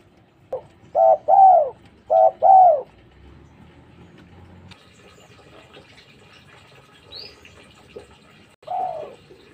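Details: Spotted dove, locally tekukur, cooing actively: a short lead-in note then two paired deep hooting coos in quick succession, a quiet pause with faint background hiss and a brief high squeak, and a last coo near the end.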